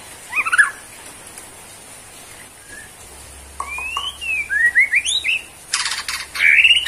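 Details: Borneo white-rumped shama in bowing pose gives a brief warble, falls silent, then resumes with rising slurred whistles, a buzzy burst and a final high upward note.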